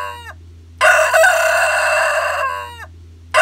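A rooster crows: a loud, harsh, sustained cock-a-doodle-doo held for over a second, ending in a falling tail, with the start of another crow at the end.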